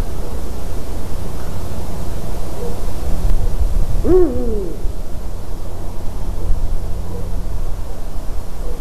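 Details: At a white-tailed eagle's nest on 12 March 2019, 18:26, a Eurasian eagle-owl gives one loud, hoarse call that rises and drops away, mid-recording, amid quiet background rumble.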